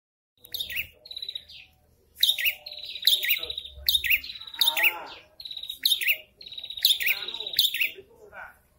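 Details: Prinia (prenjak kepala merah) in breeding condition, male and female calling back and forth: bursts of sharp, high chirps with buzzy downslurred notes, repeated in quick clusters separated by short pauses.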